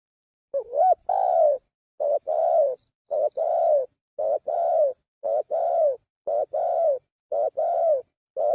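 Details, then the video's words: Lure call of a spotted dove, eight phrases in quick succession roughly one per second, each a brief bent hoot leading into a drawn-out mellow coo that sags at the end. "Suara pikat burung tekukur"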